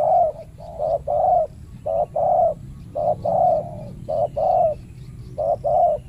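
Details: Spotted dove male guarding a banana plantation, provoked by a trapper's decoy, delivers loud, regular coo phrases, a clipped note then a longer rounded one, repeating roughly every second.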